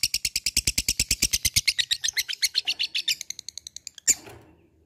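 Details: Labet, a fighter bird, calling an opponent: a fast train of sharp, high ticking notes that gradually slows and fades over about four seconds, followed by one brief harsh note.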